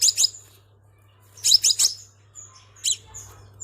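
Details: Lure call of a crimson sunbird: clusters of piercing high chirps, including a fast triplet midway, with thin short whistles between, and a soft low hum throughout.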